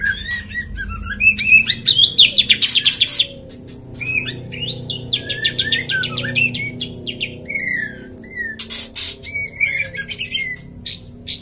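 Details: White-rumped shama male courting a female, delivering rapid twittering and chattering phrases with loud harsh bursts, quieter stretches between, over a low background hum.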